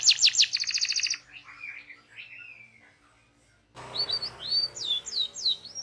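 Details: Local canary training song: a fast, high rolling trill opens, then soft, faint warbles fade to near silence before bright looping whistled notes resume.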